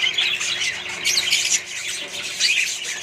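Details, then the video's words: Australian budgerigars in a colony with other birds, a short stretch of busy chirping and squeaky warbles from many birds, bursts swelling roughly every second. "australian budgies parrots & more birds colony"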